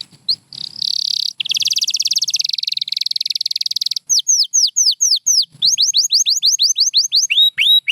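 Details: White canary delivers a long, buzzy rolling trill lasting several seconds, then switches to crisp repeated descending chirps, some rising, in a fast rhythmic series.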